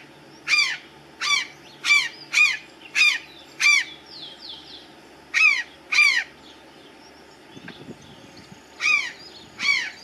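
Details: Resting on a treetop's last branch, an Azure jay gives a run of about ten loud, raspy, falling calls in quick series, pauses briefly with soft rustling, then calls twice more.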